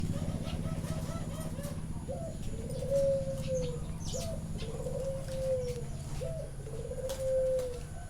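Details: Zebra doves kept at a bird farm in Chana, Thailand, recorded live: a series of mellow, slightly rising-then-falling cooing notes, drawn out and repeated about every one and a half seconds, over a low steady hum.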